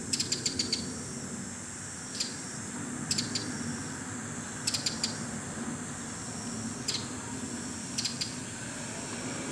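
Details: A bull-headed shrike perched on a neighbourhood power line in the evening gives harsh, clicking bursts of three to five rapid notes every second or two, over a steady background hiss.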